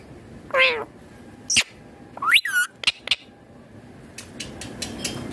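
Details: Green rose-ringed parakeet eating food: a rising harsh squawk, a short sharp note, then a run of upward-sweeping whistled and chattering calls, ending in soft clicks and faint rustling.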